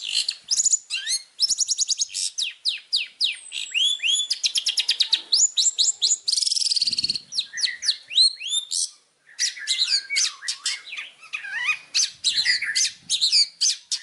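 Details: Long-tailed shrike tutor song for training other birds, full of fill-in phrases. A long, dense, varied outpouring of rapid high chips, trills, slurred whistles and a harsh rasping burst, briefly pausing before resuming.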